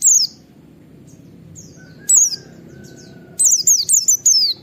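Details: White-eye 'nembak wit wit' calls, a style said to be easy to copy and to draw other white-eyes into calling. Short bursts of high, descending whistled notes, a single note first, then a fast series of four or five near the end.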